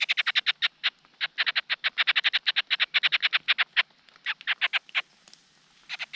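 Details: Large Niltava chicks calling for food from their father: dense series of rough, buzzy notes delivered several per second, broken by a short gap and resuming more sparsely near the end.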